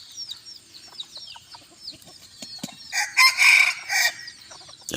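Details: Bantam chicken, a young cockerel, crowing on a hot day in the evening: a loud, hoarse, broadband crow lasting about a second, preceded by thin high chirps of small birds and quiet background rustle.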